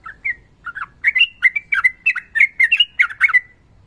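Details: Sooty-headed bulbul delivering a continuous ropel phrase, bubbly warbled notes about three per second, rising in density toward the end.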